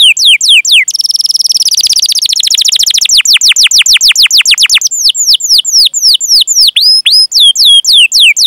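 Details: Long canary song with chirps and rolls, used to prompt young or quiet canaries to sing. It begins with sweeping downward whistles, then a dense rapid roll of notes, then looser chirps and rising whistles.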